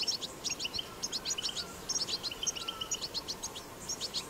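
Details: Wild European goldfinch, recorded in the wild, giving batbata song: quick, high, liquid twitters and short trilled phrases tumbling in irregular groups, over quiet background.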